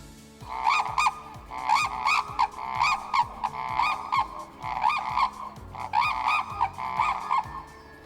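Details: A pair of Red-crowned Cranes calling in unison at Lake Notoro near Abashiri, Hokkaido, early morning in early May: loud, ringing bugled notes in quick bursts, nearly one a second, with a faint low hum behind.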